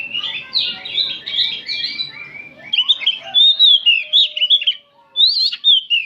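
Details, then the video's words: Afternoon group song of oriental magpie-robins. Busy chattering and whistling at first gives way to loud, clear, sweeping whistled phrases. "Kicauan kacer ombyokan bahan disore hari"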